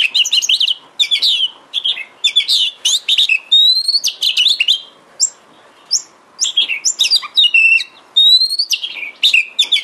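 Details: Oriental magpie-robin (kacer) song intended to make a kacer sing eagerly and fan its tail: dense, energetic phrases of rich chirps, rising whistles and quick trills with few short breaks.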